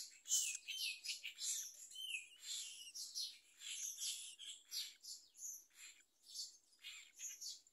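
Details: Myna parent feeding a large blue caterpillar to its chick, which answers with rapid, scratchy, chattering calls. Short hissing and chirping notes tumble together irregularly, almost one a second, with no quiet gaps.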